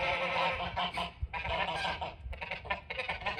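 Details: Several geese near a front porch give a dense run of harsh, nasal honks that overlap and follow quickly one after another, with short breaks between bursts.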